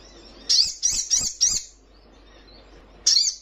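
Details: Young Little Spiderhunter calling with four quick, sharp, high-pitched chips in a row, then a pause and one more strident note.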